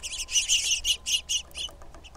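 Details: A female red-shafted Northern Flicker gives a quick series of about eight loud, harsh notes in a second and a half, then a few fainter ones trailing off, with a quiet background.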